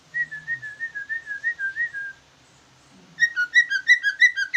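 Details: Greater green leafbird, a jumbo ci ijo, in trucukan-style song: a series of smooth whistled slurred notes, a pause, then rapid harsh chattering phrases repeated several times a second.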